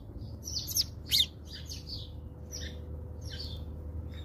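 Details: House sparrows feeding at a feeder in South Africa; quick, squeaky chirps tumble irregularly, two louder ones early, then softer chattering notes, against a faint low hum.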